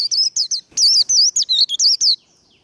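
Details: Rapid competitive líu song of a warbling white-eye, used for stirring birds to compete: a continuous series of about twelve bright, high, wavering whistled notes, clean and loud, fading out at the end.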